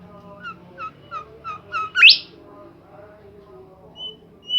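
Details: Bimoli bird in lively song: a series of short falling whistles quickening in pace, climaxing in a loud steeply rising sweep, followed by quieter scattered whistles.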